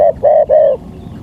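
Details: Spotted dove, a local bird, on a lure recording: three low hollow coos in quick succession, the last two longer and even, over soft background noise.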